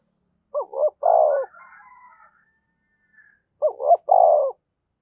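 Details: Calling coo of a decoy spotted dove, 'thổ sấm' voice style: two low hoarse phrases about three seconds apart, each two short notes and a rolling longer coo, with faint higher sounds after the first.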